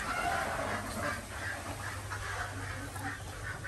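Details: Desi ducks on a village farm in Andhra Pradesh, India, calling in the morning as eggs are collected: a flock of hoarse, nasal quacks repeated rapidly and unevenly, about three per second, over a steady low mechanical hum.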